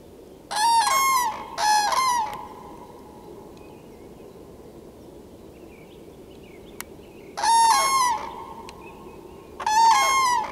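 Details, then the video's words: Common cranes calling loudly: four loud, rich trumpeting bugles, two close together near the start and two more after a long quiet gap, each about half a second, over a soft background hiss. "Żurawie z głosem"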